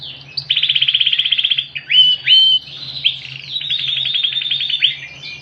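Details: Yorkshire canary, ringed, singing loudly with cililin song fill: a fast pulsing roll, two clear whistled notes, then another long rolling trill, all over a faint constant low hum.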